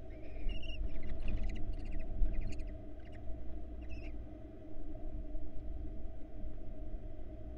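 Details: Barn owls at a nest box watched by a camera in Florida, where a female accidentally kicked out a chick and returned it soon after; eggs laid January 2022. Short bursts of harmonic, chittering notes for four seconds over a steady low hum.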